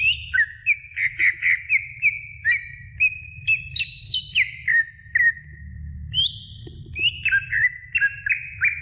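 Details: Greater green leafbird in varied song to stimulate young birds, rapid choppy whistled notes at a steady pitch, climbing to higher ringing phrases, then quick falling whistles repeated near the end.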